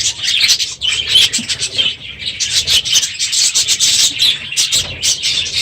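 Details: Crowded aviary of budgerigars, unusually noisy one morning at the end of the breeding season; layered high warbling and sharp chirps from many birds, dense and continuous throughout.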